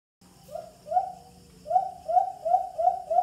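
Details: Hunting lure call of the white-eared brown dove (alimokon) on a Bluetooth speaker: a pair of soft, low coos, a brief gap, then a brisk series of six repeated hoots over a light background hiss.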